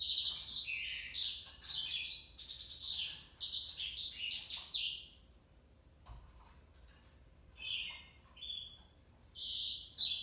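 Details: Male African yellow canary (Serinus flaviventris) sings a rapid, high warbling run of trills and chirps for about five seconds, pauses, then adds shorter whistled phrases.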